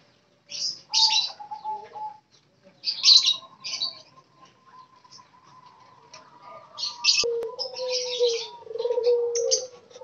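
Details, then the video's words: A wild-caught spotted dove kept in daily care gives low, soft, rolling coos, clearest near the end, partly masked by loud, bright chirping from other small birds. "derkuku ombyokan agar cepat gacor"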